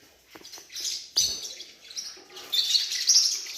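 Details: Newborn Forpus parrotlet chick giving high, thin, hissing squeaks in short bursts. The squeaks build into a longer, louder stretch toward the end, with a few soft clicks and taps in between.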